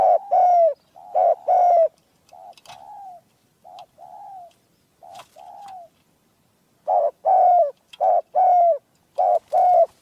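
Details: Spotted dove, a caged decoy with a rare, small, clear voice. Loud short-long coos, then a softer middle run of single coos, then a loud series of double coos again.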